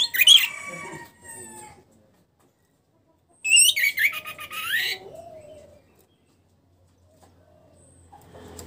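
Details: Orange-headed thrush kept in a cage and recovering from moult. It sings two rich whistled phrases, one opening the recording and a longer, tumbling one a few seconds later, then falls silent apart from faint background noise.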